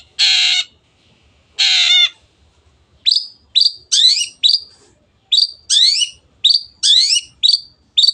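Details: Long-tailed shrike (cendet) singing vigorously in a masteran training recording for kept birds: two harsh, buzzy rasping bursts, then a quick run of high whistled notes sliding down sharply, repeated in clusters.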